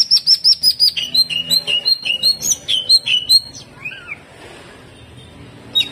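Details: Greater green leafbird in gacor hyper jamtrok song: high repeated whistled notes, then lower buzzy phrases repeated about three per second, ending in a short slurred call and near silence.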